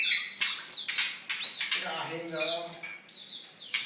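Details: Oriental magpie-robin, noted as a very fierce songster, giving a quieter song of whistled slurs and scratchy notes at irregular intervals, with a low nasal murmur in the middle.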